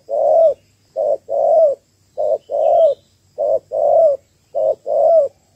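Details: Female spotted dove calling to stimulate males for trapping: steady series of five short-long coo pairs, soft hollow hoots with a slight rising warble at the end of each long note, about one pair per second.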